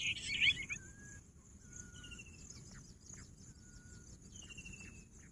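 Bush quail giving thin, level whistles at two pitches, each about half a second long, after a brief loud chirpy burst. Steady insect hum throughout.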